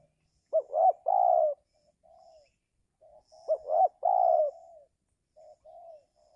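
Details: During the giring season, a spotted dove calls to draw wild birds down; two phrases of two clipped notes and a drawn-out coo, each trailed by softer low coos.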